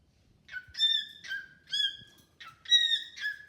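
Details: Domestic cockatiel singing to its new bird friend: three bursts, each a rising lead-in and then two ringing whistled notes sliding downward, spaced roughly a second apart.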